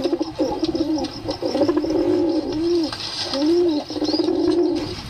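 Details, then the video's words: Pigeon cooing: bubbling, rolling low notes build into two long swelling coos, with light hiss and faint higher chirps behind. "Pigeon sound"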